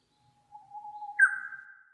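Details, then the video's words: Japanese bush warbler (Horornis diphone), recorded 30 May 2015: a long, soft, steady low whistle, then a sudden louder, higher slurred note, the classic opening of its song; noise reduced, with a little brown-eared bulbul voice also present. "ウグイス "Horornis diphone" の鳴き声"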